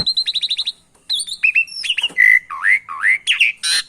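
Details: Javan pied starling in a canary-filled training recording used to coax quiet starlings into song: a quick run of eight clipped notes, a pause, then loud varied whistles, dipping slurs and rising swoops.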